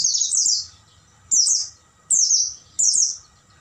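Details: Oriental white-eye singing at night for training caged birds: one long opening twitter followed by three shorter, sharp, high descending phrases spaced under a second apart, with faint low hum beneath.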